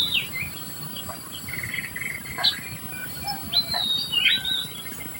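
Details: Society finch feeding its young: scattered high chirps and short whistled upslurs, with a bright sweeping note near the end, over steady insect-like hiss and a constant high hum.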